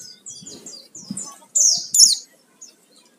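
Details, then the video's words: Oriental white-eye song played as a lure to make birds sing: soft high twittering notes, then two loud, sharp descending bursts near the end, with faint low murmuring underneath. "Pancingan suara pleci gacor full isian"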